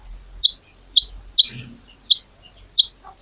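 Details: Little pied flycatcher recorded as a lure to set other birds singing: a single sharp, high chirp repeated about every half to three-quarters of a second, with a soft low rumble in the background.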